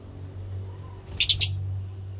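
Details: Lovebird calls from breeding birds: three quick, shrill, high chirps in a rapid burst, close together, over a steady low electrical hum.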